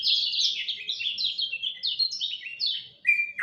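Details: Lemon-bellied white-eye singing at dawn: a fast cascade of high, downward-slurred chirps in quick succession, ending with a couple of louder lower notes.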